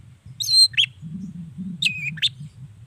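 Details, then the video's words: Long-tailed shrike voice used as a prompt for other shrikes; two short phrases, each a high whistle sliding downward followed by a squeaky note, over a steady low rumble. "Suara Cendet Gacor Pagi Siang Sore Biangnya Bikin Cendet Manapun Nyaut Emosi Ikutan Bunyi"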